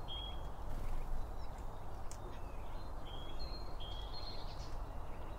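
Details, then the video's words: Birds eating at a feeder, binaural recording with paired microphones set behind the seed: scattered high piping notes, some slightly rising, spaced irregularly against constant low background noise. "BIRD FEEDING SOUNDS"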